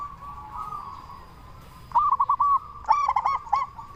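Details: Zebra dove of a local strain in full voice, played to provoke others of its kind to reply: two short clusters of rapid, bouncing coo notes after a quiet stretch with a steady, faint tonal drone.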